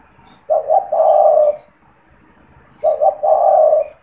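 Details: Caged spotted dove recorded for luring wild doves, cooing twice, about two and a half seconds apart; each phrase opens with two quick coos and ends in a prolonged deep coo, with a few distant chirps.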